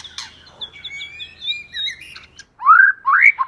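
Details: White-rumped shama singing forest-style as a lure bird: faint thin whistled notes and a level tone, then a gap and two loud, clear upslurred whistles.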